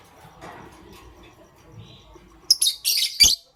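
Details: Lovebirds, pastel gray and green, heard in the morning: near-quiet background, then a sudden rapid run of loud, scratchy high chirps packed close together at the end.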